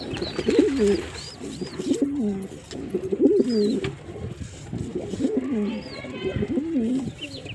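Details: Series of low wavering coos from a male pigeon, repeated roughly every second, with occasional high chirps of small birds behind.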